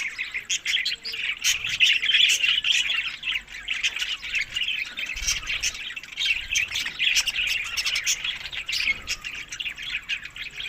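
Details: Several budgerigars feeding on summer food, May to June, give a steady busy twitter of rapid chirps and scratchy squawks, overlapping without pause, with a few sharper clicks standing out.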